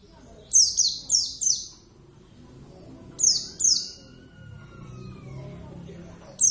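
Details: Caged Oriental white-eye of the Javan subspecies sings strongly: a run of three sharp, falling high chirps, then a pair, then one more. A faint sliding whistle-like tone and soft background murmur are heard in between.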